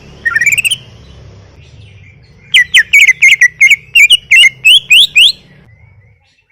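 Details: Caged greater green leafbird in full song: a short rising warble, a pause, then a fast series of loud, clear whistled notes, sharply upslurred and repeated about three times a second, over a low background hum.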